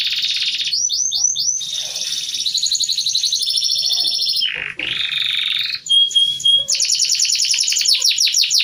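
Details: White-crested canary kept in a small hamster cage, singing steadily: a varied run of high trills, buzzy rolls and rapid chattering phrases, broken by a brief pure whistled note, then fast repeated notes.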